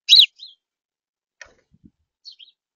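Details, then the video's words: House sparrow perched near a smart feeder in a backyard: one loud, harsh chirp opens, followed by a softer short chirp, a few faint clicks and taps, then two brief, thin chirps near the end. "House Sparrow Singing at Smart Feeder"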